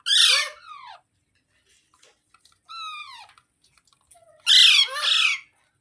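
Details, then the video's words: Talking parrot kept at home: a harsh falling screech, then a softer tonal descending whistle-like squawk, followed by two loud rasping screeches close together. "Parrot Sounds Videos Compilation | Mitthu Ki Awaaz"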